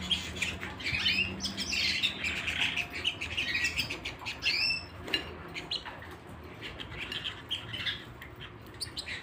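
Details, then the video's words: Canary singing at home: an opening burst of loud warbled chirps and quick upward whistled sweeps, then softer scattered twitters and clicks as the phrase winds down. "canary singing at home"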